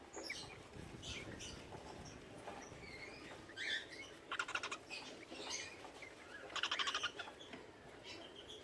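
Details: Cockatiels mating, with rapid, harsh chattering notes among scattered high chirps and whistles.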